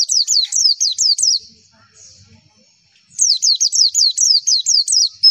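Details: A white-eye (pleci) sings for tutoring and provoking responses from other birds: a burst of quick, high, slurred chirps, then a near-silent gap of nearly two seconds, then another matching run of piercing notes.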